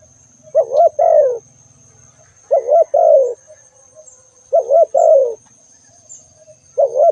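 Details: ['Spotted dove calling in a regular rhythm, one wavering-then-falling coo phrase about every two seconds, four phrases heard, over a quiet background with a faint high tone.']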